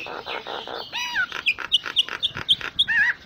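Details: Common myna, locally Jalak Nias, singing a full-isian song suited for tutoring other songbirds: buzzy chattering bursts, then a run of short bright whistled notes about twice a second, ending in a looping whistle.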